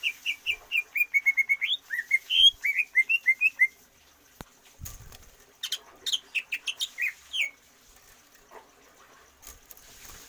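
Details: Greater green leafbird song, used to build stamina and longer breath without free-flight exercise: quick runs of clear whistled notes, some rising and falling, in fast phrases, then a pause and a second busier burst.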